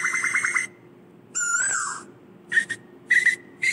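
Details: Asian koel calling the flock: a rapid stutter of short notes, a single swooping whistle, then clipped paired notes spaced about half a second apart, with a constant low hum throughout.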